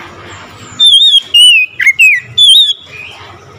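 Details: Oriental magpie-robin answering another magpie-robin with loud song: a short sequence of sweet, wavering whistles, one dipping, buzzier note, then a final warbled phrase trailing into quiet.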